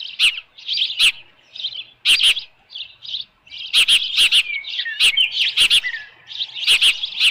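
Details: Nest-cam recording of an osprey with a headless fish at Dunrovin Ranch, evening of 10 June 2018. Bursts of high piping chirps with a few downward-sliding whistles, punctuated by repeated sharp broadband taps.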